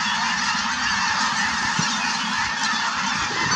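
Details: Massed Snow Geese, active and flying at Merced National Wildlife Refuge, March 2018, alongside cranes: constant roaring chorus of countless overlapping honks, with a brief louder call near the middle.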